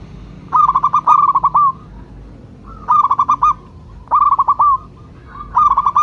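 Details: Local perkutut, the zebra dove, calling as a lure: four loud bursts of fast stuttering coos, each closing with a drawn-out rolled note, roughly every one and a half seconds.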